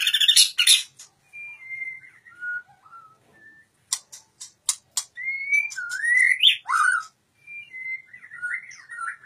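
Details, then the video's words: White-rumped shama opens with a harsh buzzy burst, then soft separate whistles, a rattle of clicks, and a swooping series of loud fluting notes with pauses between phrases. "murai batu matep tenen"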